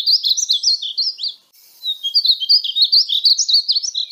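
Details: Painted bunting singing: a quick run of high, slurred chirping notes, a short silence, then a longer, bright warbling phrase of jumbled up-and-down notes.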